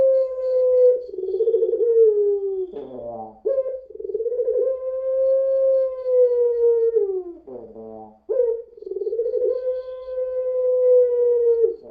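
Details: Puter pelung dove singing a long lure song: sustained level coos several seconds long, broken twice by hoarse, rattling, cough-like bursts, then resuming the smooth held note.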